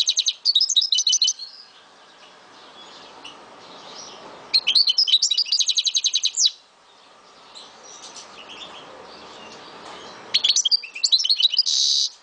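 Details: Pet Algerian goldfinch from Souk Ahras, Algeria, singing three separate bursts of rapid, high twittering notes, separated by pauses of several seconds, the last ending in a buzzy rasp.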